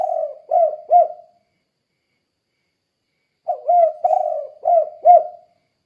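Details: Spotted dove giving its 'kuk 2' call to draw replies from other doves: the closing coos of one phrase, a pause, then a phrase of about five soft, hollow notes with one drawn-out coo in the middle.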